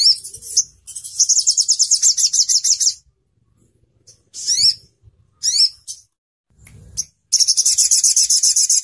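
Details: Crimson sunbird song for training other songbirds: fast, piercing high trills of repeated notes, broken by short sweeping chirps and pauses, ending in another rapid trill.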